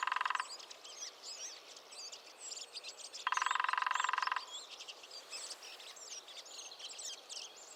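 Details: Lesser spotted woodpecker in the New Forest drumming, a short roll at the start then a fuller one lasting just over a second, with various woodland birds singing high, thin phrases throughout.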